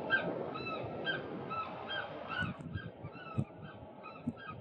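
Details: Several Eurasian oystercatchers scream together in a shrill, overlapping chorus of strident piping notes, about one a second, over low rumbling background noise, during rarely seen fighting in a group display to win partners; an older bird bites a younger white-throat-lined bird and chases it off.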